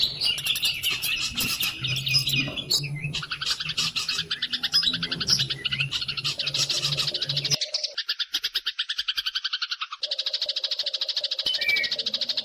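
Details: A young wild-caught white-rumped shama sings nearly nonstop in fast, high, buzzy chattering notes with abrupt breaks, recorded as song-tutoring audio for other shamas; a low hum sits underneath during the first half.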